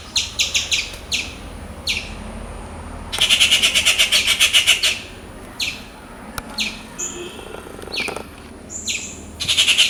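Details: Noisy rufous treepie calling energetically in its natural habitat: bursts of sharp, clipped chattering notes, a long harsh grating rattle in the middle, and a few short whistled notes.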